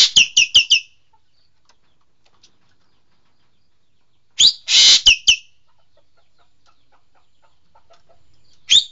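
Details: Green magpie (Cissa chinensis), engkek keling in local usage, gives four quick sharp falling notes. After a pause comes a harsh rasping burst flanked by similar notes, then one more falling note near the end, with clean silence between.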